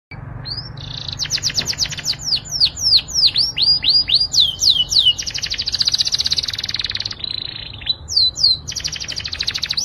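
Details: Canary singing to excite females for mating: loud, rapid trills of high downward-sweeping notes, a sustained buzzy rolling passage, then more quick descending whistles.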